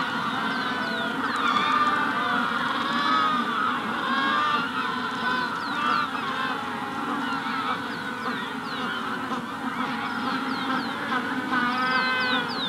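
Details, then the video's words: Magellanic penguins calling together in a colony at the hatching stage, a continuous din of harsh, harmonic braying notes overlapping without pause, with thin descending whistles of a rufous-collared sparrow above. "Magellanic Penguin / Calls MD In Colony At Hatching Stage"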